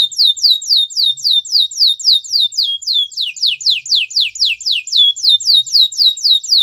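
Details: Canary training song: a steady stream of repeated downward-sweeping whistled notes, about four per second, shifting slightly in pitch and speed partway through, clean with no background sound.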